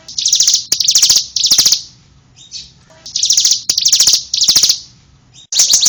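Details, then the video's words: Bar-winged prinia singing in loud, buzzy bursts of fast, high trilled notes, each burst lasting about half a second and coming in groups separated by brief quiet gaps with faint softer notes. "BURUNG CIBLEK MANTAP"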